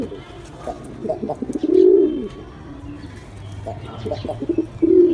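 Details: Pigeon cooing: stuttered low notes leading into a drawn-out swelling coo, then another coo starting at the end, with soft rustling.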